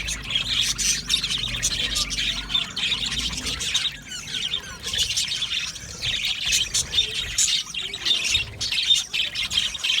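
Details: A colony of budgies in an aviary keeps up a steady wall of high chirping and warbling over ten seconds, with a brief dip near the four-second mark before the chorus builds again.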